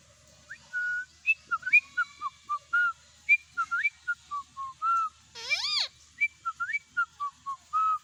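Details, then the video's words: A pet ringneck parakeet (mithu) gives a quick run of short whistled notes, falling and rising, with one louder, harsher arched squawk midway. "parrot talking mithu | parrot sound"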